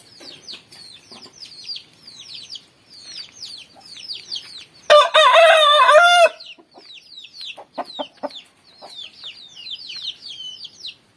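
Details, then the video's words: Rooster crowing in the morning, its call called melodious: one loud, rich crow lasting over a second midway, surrounded by constant high twittering of many small birds. "kokok ayam jago dipagi hari suara merdu"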